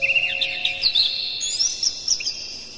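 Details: Caged Oriental magpie-robin singing in the morning, meant to stimulate other birds: a dense stream of quick, squeaky high whistles and chirps with a sustained whine in the background.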